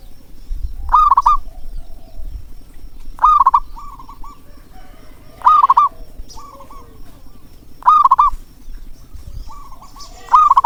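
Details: Local zebra dove, big-voiced, used as a call for reluctant singers: five loud, rolled, bubbling coos about every two and a half seconds, each followed by a quieter coo, over low background hum.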